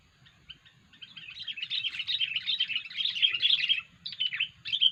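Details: Sooty-headed bulbul with an odd lure call for trapping: a quiet start builds into nearly three seconds of fast, scratchy, jumbled chattering, followed by a few sharp separate chirps, over a faint low background hum.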